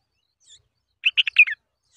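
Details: Bulbul chicks stretching toward their mother as she feeds them a spider from her beak; a quick burst of five or six high, harsh chirps lasting about half a second, with faint squeaks before and after.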